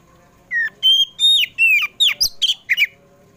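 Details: Oriental magpie-robin (kacer poci) singing in the afternoon, used to lure kept birds into song: a loud run of clear whistled notes, some sliding down and some rising, then quick chirpy phrases, close and dry against near silence.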